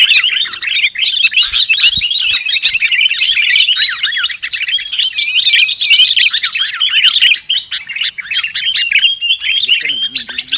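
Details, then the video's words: Sooty-headed bulbul trapping lure call, a long stretch of dense bubbly chirping and twittering with rising and falling notes, thinning slightly near the end where a few clearer whistled notes stand out. "Suara PIKAT Burung KUTILANG"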